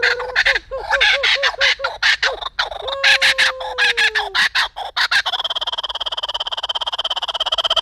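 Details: Laughing kookaburra Foster, a male at the Sacramento Zoo, giving its loud, raucous territorial laugh: rapid harsh chuckling bursts building into a rolling cackle, with a few hooting notes and a person's voice at the start.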